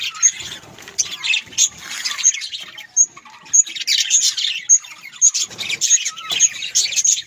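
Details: Pet budgerigars, described as Australian parrots, giving dense high warbling chatter with sharp repeated chirps about every half second and scratchy squawks throughout.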